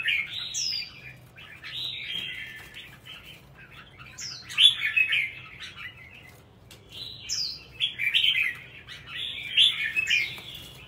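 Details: Red-whiskered bulbul kept as a songbird, delivering four similar song phrases roughly every two and a half seconds. Each starts with a high slurred whistle followed by a rolling, chattering warble.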